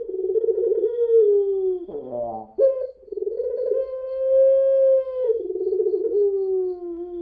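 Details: Puter pelung dove, the long-voiced type, in lure song: wavering coo, a harsh rattling cough-like burst, then a smooth sustained hoot falling into a trembling lower note.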